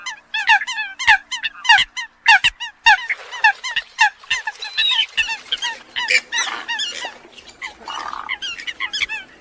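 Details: Eurasian coots giving quick nasal honks in a busy overlapping series, roughly one to two notes per second per caller. Some notes are sharp and clipped, others more drawn-out and rasping.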